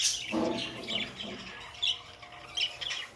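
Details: Pet budgerigars give a harsh opening squawk followed by a mid-pitched warbled phrase and then scattered high squeaky chirps.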